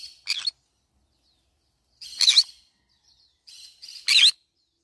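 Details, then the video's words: Pet green-cheeked conure eating banana leaves gives three short, harsh screechy calls, the last two rougher and louder, spaced about two seconds apart in an otherwise quiet room. "green cheek conure cute bird sound"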